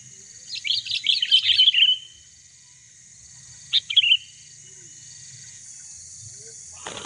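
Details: Sooty-headed bulbul used to lure and challenge a rival bird: a bright, warbled phrase of rapid bubbly notes lasting over a second, then a shorter two-note burst after a pause, over a steady high electronic hum.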